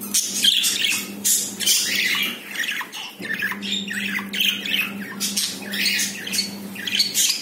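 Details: Captive budgerigar pair after the female laid her first egg, chattering steadily indoors with harsh squawks and rapid warbled notes throughout, a constant low hum beneath.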